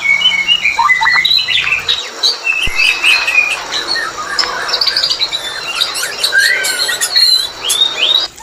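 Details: White-rumped shama mating sound used as a lure to bring birds into breeding condition; a dense run of varied whistles, chirps and sharp high notes, some sliding up and down, with a short low hum at the start.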